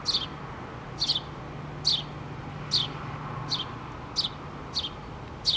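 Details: House sparrow family, mother and two young, in a pole nest on 8-3-2017: eight crisp high chirps, some doubled, spaced under a second apart, with a low steady hum beneath.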